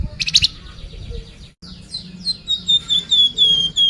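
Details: Sunda pied fantail song used as a lure to make caged birds sing: clear high whistled notes descending in a series, then a long run of repeated ringing slurred whistles, with a low hum underneath.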